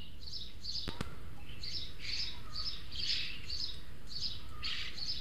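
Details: Young Eurasian magpies visiting a feeder in the El Retiro orchard, Madrid, two of three juveniles begging feeds from the older-looking third. Short harsh scratchy bursts repeat about twice per second against a constant low rumble.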